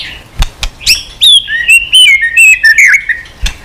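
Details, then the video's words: A white-rumped shama in long continuous song with many unusual voices, tail-flicking on its perch. A few dry clicks come first, then a long descending whistled ribbon broken into bright, slurred notes, ending in a single click. "chòe lửa hót nhiều giọng lạ"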